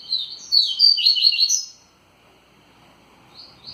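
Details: Energetic Tui Tui song from a rusty-collared seedeater: a loud, fast cascade of high warbled chirps lasting over a second, then silence and a faint new start near the end.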